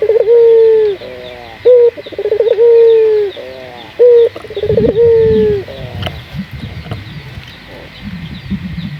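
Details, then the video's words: Puter dove lure for training local doves to sing: several clipped notes, rolling stutters and long falling coos in the first half, then quieter rustling and knocking noises. "Pancingan burung puter gacor, melatih burung puter lokal agar cepat gacor"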